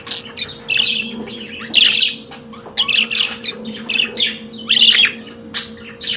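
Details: Pet budgerigar song, a busy mix of grating chirps, clicks and brief whistled notes delivered in irregular runs, with a faint steady hum behind.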